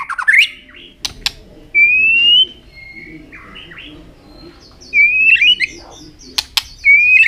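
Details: Tail-flicking white-rumped shama in fighting song for rousing young birds: long clear rising whistles separated by pauses, with scattered sharp clicks and a brief warbled phrase.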